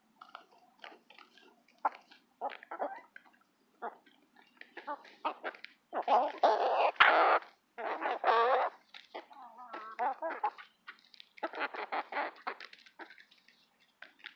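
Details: A flock of eight hens squabbling over mealworms, with a steady stream of short clucks and harsh rasping squawks. The calls grow louder and denser midway, and a single sharp click is heard.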